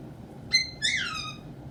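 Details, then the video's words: Pet caique parrot indoors, which sings, laughs and dances: a brief sharp whistle followed by a longer harmonic-rich note that slides downward, then quiet room noise. "Caique Parrot sings, laughs, swears, dances"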